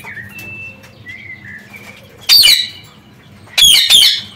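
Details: Parakeets loose in an aviary after escaping their cage, noticed in the afternoon. Soft thin whistles come first, then two bursts of harsh, grating screeches, the second one doubled. There is a low background hum.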